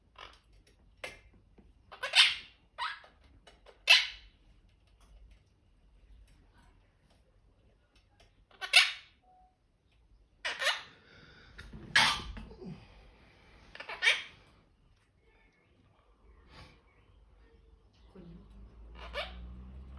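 A monk parakeet gives loud, harsh, raspy screeches in short bursts separated by pauses.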